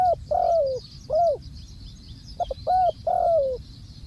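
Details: Spotted dove used as a ground decoy for trapping, calling with clear low cooing phrases: a short stuttered note then a longer smooth coo falling at the end, repeated twice with a soft hiss behind.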